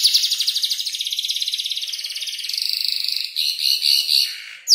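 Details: Five-month-old canary practising song built from other birds' sounds like ciblek and prenjak lumut; a long rapid buzzy trill of very quick pulses, shifting to a steadier high tone and a few warbled phrases.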